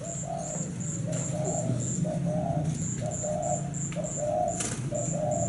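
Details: Thai zebra dove of cream coloring cooing in quick succession: short rippling, bubbly coo notes strung into a near-continuous series, accompanied by a regular high-pitched pulsing tick and low hum.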